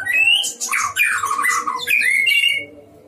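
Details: Caged white-rumped shama singing in a breeding enclosure, in strong chattering form: loud varied phrases of sliding whistles and harsh rasping notes, falling and rising, for about two and a half seconds, with a low hum beneath.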